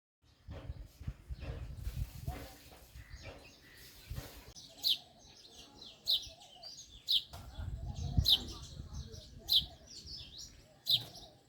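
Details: Male house sparrow chirping: after about five seconds of low rumbling background noise and muffled voice-like sounds, sharp high chirps ring out singly, roughly every second, each a short bright note.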